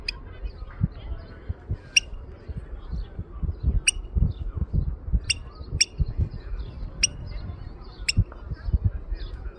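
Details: An oystercatcher in Norway, 2023, trying to lure the recordist away, gives sharp, shrill 'kleep' alarm notes one every second or two at an uneven pace, over a low rumble of wind and footsteps.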